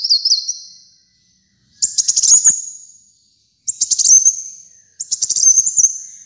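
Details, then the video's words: Vigorous song of a kolibri muncang sunbird, meant as a master track for kept birds. A wavering high trill ends, then three separate bursts of quick, shrill, chattering notes come at intervals of under two seconds. "Kolibri Muncang Gacor Dor"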